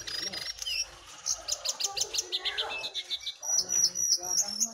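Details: Song contest between wild and caged jongkangan, recorded with simple gear; brisk series of short chirps, then a sliding note and clear repeated whistles.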